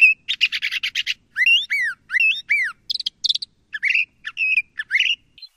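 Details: A harsh, rapid rattle of buzzy notes opens, followed by loud, clear upslurred whistles repeated three times and then mixed chirps and squeaky notes, from a LeConte's thrasher in a quiet setting.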